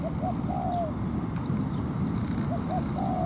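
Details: Spotted dove decoy on the ground calling a wild dove into a territorial fight: mellow coos with a long falling final note, repeated twice, while a regular high ticking insect pulses throughout under a constant whine.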